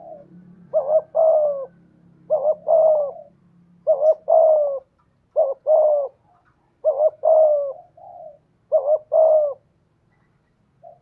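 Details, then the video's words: Decoy spotted dove in the 'thổ' voice style gives six rhythmic two-part coos, each a stuttering note then a longer falling hoot. A low rumbling hum plays early on. "Chim Cu Mồi/ cu gay giong tho cuc dinh"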